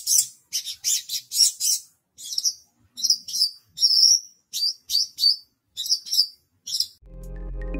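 A Horsfield's bush lark sings high, rapid bursts of twittering and trilled notes in short phrases, nearly continuous for seven seconds; a low rumbling noise cuts in at the end.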